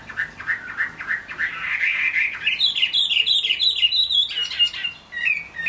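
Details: Chinese hwamei, a kept bird, singing in the rain: fast warbled phrases start mid-pitched and then climb into higher, looping whistled notes, repeated about three times a second, with a brief pause near the end.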